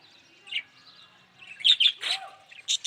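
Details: Short burst from a yellow budgerigar: a soft chirp, then quick loud squawky notes and a falling rasp near the end.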